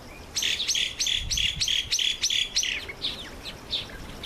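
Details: Red-faced mousebird at a birdbath on its first visit, uttering a fast series of bright, high whistled notes, about three per second, even and level in pitch, fading into softer scattered chirps.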